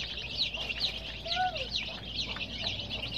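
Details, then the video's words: Baby chicks with coloured down chirping: regular high, slurred peeps from many birds, plus a brief lower rising-and-falling whistled note near the middle. "Baby "Chicks Chirping" Sound"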